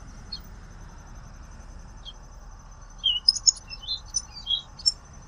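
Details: Common waxbill singing: after two quiet seconds, a quick burst of high, thin chirps and short squeaky notes, some sliding downward, over a faint steady high-pitched tone and low background hum.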